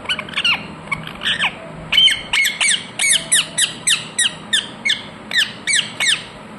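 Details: A long, steady run of loud, screeching squawks from a pet ringneck parrot, about two calls per second throughout.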